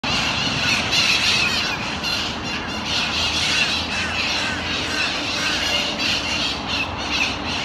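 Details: Mitred Parakeets feeding on seeds at Fuch's Park, Miami-Dade County, Florida, on December 4, 2016: a dense, continuous chorus of harsh screeching squawks from many birds over steady low traffic rumble.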